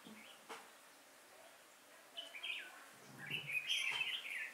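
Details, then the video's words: Red-whiskered bulbul kept as a decoy to pull wild bulbuls into a trap, 5 October 2018. After a quiet start, a short warble is followed by a fuller burst of bright chattering notes. A low rumble accompanies it near the end. "Bẫy chào mào Nết chơi siêng cánh lăng xăng"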